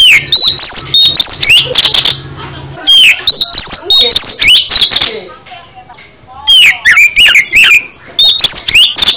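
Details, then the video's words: Kacer, the oriental magpie-robin, delivering full 'isian' song: dense runs of rapid whistled and rasping notes about three per second, broken by a quieter stretch before loud phrases resume. "Kicau KACER Full Isian"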